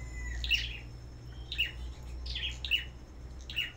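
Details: Farm-kept Black-throated Bushtit singing in competition: high, buzzy chirps at uneven intervals, about five in under four seconds.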